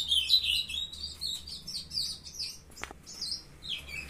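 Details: Captive young ultramarine grosbeaks singing on 23 June at 7:21 in the morning, a quieter run of high, twisting warbled notes broken by a sharp click near the end.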